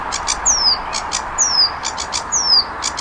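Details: Flycatcher, called sikatan londo locally, in a bird-tutoring recording. Clear high whistles slurring downward, repeated about every second, separated by paired short buzzy chips. Light background hiss.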